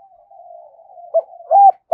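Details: Spotted dove lure call in the Hai Hau cooing style, used to provoke wild doves: a long, low, steady humming tone, then two short, louder, mellow coo notes and the start of a third.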